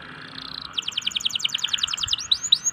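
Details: Local canary song used as a lure to prompt quiet, reluctant canaries to sing: a brief high buzzy note, then a fast trill of about fourteen sharp descending notes, closing with a few rising whistled sweeps over a faint steady hum.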